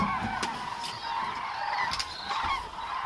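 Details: In October 2012 at Agamon Hula in Israel, a flock of cranes calls together in an overlapping chorus of loud, rolling, trumpeting notes, with a faint background rumble.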